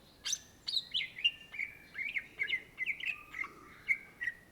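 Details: Greater green leafbird (Cucak Ijo) in chatty 'gacor' song: sharp clicks, then a rapid string of whistled notes that gradually drift lower, each note bending slightly, over near silence.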